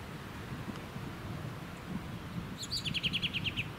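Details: American robin in Ludington, Michigan, USA, June 2019, gives a quick run of about eight sharp, high notes near the end, over a steady low rumble of wind and suburban noise.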